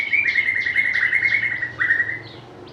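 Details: White-rumped shama, a bird prized by bird lovers for its varied, melodious voice and mimicry, delivering a rapid trill of repeated notes holding steady at a mid pitch, then dipping and resuming in a second shorter trill.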